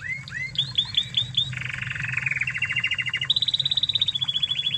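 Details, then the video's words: Original Spanish Timbrado canary from Spain, recorded as a master song for training: curled whistled notes lead into a dense metallic rattling trill stepping lower, then a high, even, rapid trill, over a faint hum. "Masteran Kenari Spanish Timbrado Ori Spanyol"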